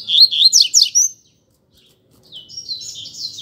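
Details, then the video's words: Double-collared Seedeater competing in a song duel with another caged bird: a loud burst of rapid, buzzy, downslurred notes, a second of silence, then a softer, quicker twittering phrase. "Coleiro Disputa de Canto"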